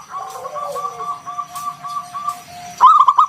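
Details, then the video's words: Local wild zebra dove, a strong caller used as a lure to draw other doves into calling; soft steady tonal humming for almost three seconds, then an abrupt run of rapid, bubbling coo notes at the end. "Suara NGALUN Kung Bulat - Perkutut lokal gacor"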